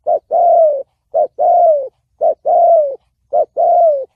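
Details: Regular, clear spotted dove cooing, 'thổ bầu' style, for luring wild doves and training decoy birds: four even phrases, each a brief note then a long coo falling slightly at the end, roughly every 1.1 seconds.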